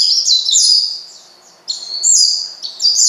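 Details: Oriental white-eye challenging a rival bird to anger it, giving shrill high-pitched chattering twitters in two quick bursts separated by a short pause.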